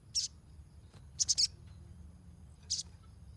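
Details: Ruby-cheeked sunbird giving a lively, chattering series used as a lure for untrained birds; sharp, very high chirps, one single, then a quick triple burst, then another single note across about three seconds, over a low steady hum.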